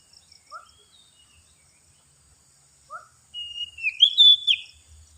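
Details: Oriental magpie-robin lure song: two short, soft, falling notes a few seconds apart, then a loud, drawn-out whistled phrase that climbs and bends, with faint high chirps in the background.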